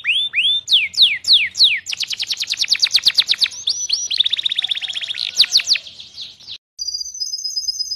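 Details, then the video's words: Canary training song: a few looping whistled slurs, then a rapid rattling trill of crisp repeated notes, a rolling buzzy passage, a brief gap, and a thin steady high tone. "KANARYA SESİ EĞİTİM ÖTÜŞÜ CANARY VOICE!!!"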